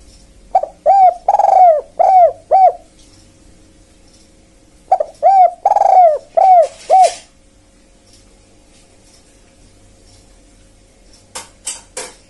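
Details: Spotted dove luring wild birds, calling in two phrases of five or six mellow arched coos with one longer rolling note, then silence and a few sharp clicks near the end.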